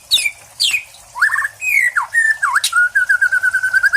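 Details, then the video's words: White-rumped shama, a caged contest bird, singing trained material such as greja kapas tembak and Lb Cililin: sharp descending whistles, slurred dips and swoops, then a fast, even series of repeated notes. "MURAI PRESTASI MATERI LB CILILIN GREJA KAPAS TEMBAK"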